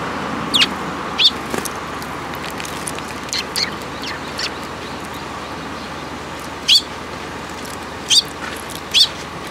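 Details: Young sparrows coming to a plum tree to be fed at a Tenmangu shrine on 30 June 2022; short, sharp high chirps given singly or in quick pairs at irregular gaps, over steady low traffic-like rumble.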